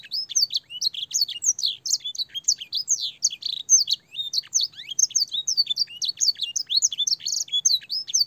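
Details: Training song for young canaries, mixed with blackthroat and sanger phrases: continuous high-pitched chattering warble of swooping whistles, chips and short trills at a fast pace.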